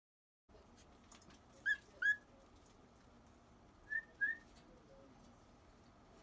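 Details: At the hatching of a pair's cockatiel chicks on 9 March 2018, a cockatiel gives two pairs of short, bright, rising whistled chirps about two seconds apart, over a low steady hum.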